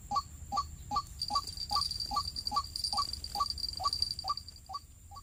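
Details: White-breasted waterhen at a bird-trapping site where one was caught by a snare around its neck: a rapid, evenly spaced series of short harsh notes, about two and a half per second, with a constant high whine.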